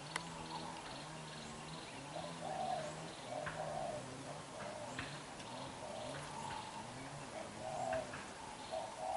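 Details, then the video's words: Young black-eyed spotted dove giving fierce, intense bowing coos: low, soft, rounded arching notes repeated steadily about twice a second through the clip over a faint background hiss. "Bổi Tơ mắt đen, đập gù quá dữ"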